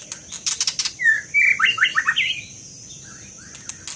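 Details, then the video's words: Scarlet minivet singing: a burst of sharp high ticks, then a run of clear whistled notes, some slurred and rising, others dropping, around six notes in quick succession, ending in a few fainter calls. "Lửa siêu hót"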